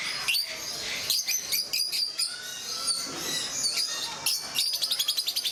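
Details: Group of rosy-faced lovebirds, also called peach-faced lovebirds, at Mysore Zoo in India, giving overlapping shrill chirps and squeaks, ending in a quick rattling series of sharp repeated notes.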